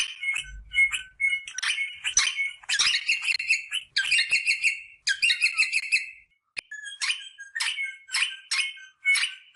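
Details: Rosella calls played to stimulate mating: bursts of harsh, chattering notes with ringing whistled tones, delivered in rapid runs with short pauses between phrases, plus a faint low thump near the start.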